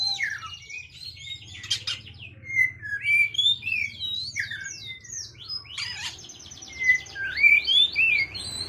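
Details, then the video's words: Oriental magpie-robin calling a rival, giving varied whistled phrases: sliding notes around mid pitch mixed with sharp high chirps and rapid trills, loudest at the end, over a low steady background hum. "Kacer memanggil lawan"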